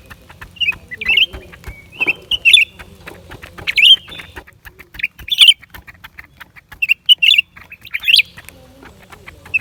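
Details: Song of a lesser green leafbird, January 2023: lively, varied chirps and twisting whistles, some thin and drawn out, others quick and squeaky, in irregular bursts with clicks and crackles throughout.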